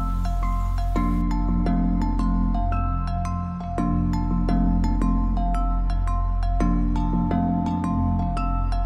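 Gentle new-age music fills the recording: bright mallet notes like marimba and glockenspiel ring over a sustained low bass, with no animal calls heard.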